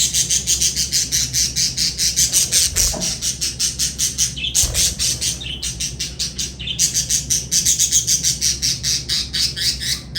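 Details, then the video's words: Lovebirds chirping and chattering nonstop, a dense run of rapid high, harsh chirps repeated several times a second, with a few short breaks and louder squawks mixed in. "Lovebird Singing & Chirping Sounds"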